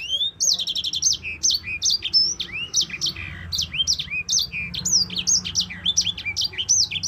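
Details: Yellow-fronted canary pouring out a continuous high song, used to train other songbirds: a buzzy trill opens into a steady stream of swooping whistled notes with no pause.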